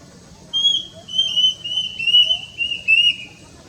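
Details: Plaintive cuckoo (Cacomantis merulinus), locally called Wiwik Kelabu or Kedasih, a bird linked in folklore to death omens, recorded on a Nikon Coolpix P900: a shrill, plaintive series of high whistled notes stepping slightly downward, five phrases over a soft background hum.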